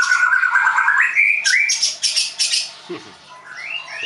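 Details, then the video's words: White-rumped shama in training at a bird school in Tangerang, Indonesia; steady whistled phrase stepping upward, then several sharp buzzy bursts, a low note and a final rising whistle. "MURAI BATU LEUSER"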